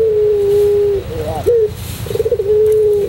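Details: White Barbary dove performing pelung-style song: a held, slightly falling coo, a short upslurred note, then a quick trill sliding into another long even coo.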